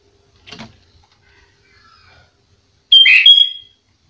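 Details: Sooty-headed bulbul singing gacor, a master recording for teaching caged bulbuls. After faint scratchy noises, one short loud phrase comes near the end: a clear whistle with a rich burbling note beneath.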